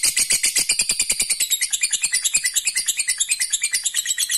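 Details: Lovebird in full ngekek, a long trill played to make rivals respond: fast, evenly pulsed high chattering, about three notes a second, sustained through the whole stretch.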